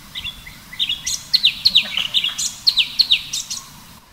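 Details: Sooty-headed bulbul, recorded alongside a waterfall scene, giving a quick run of bright, liquid chirps, about a dozen notes in four seconds, each rising then dropping, over a faint low hum.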